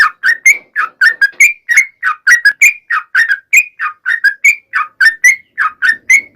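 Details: Trucukan (sooty-headed bulbul) in long vigorous song played to make other birds of its kind sing back; a continuous run of short liquid whistled notes, gently rising and falling, about four per second.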